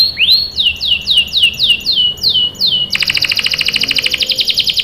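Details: Lure song of a canary for getting young canaries to join in. After one rising note comes a string of down-slurred whistles, then a fast, buzzy rolling trill.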